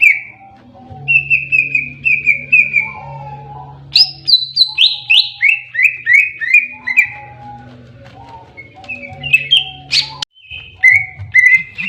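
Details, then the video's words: A greater green leafbird delivers its fighting song: strings of descending whistled notes repeated in quick series, then sharp upslurred phrases and a mellow lower whistle, over a constant low droning hum. "KICAUAN BURUNG CUCAK IJO TARUNG"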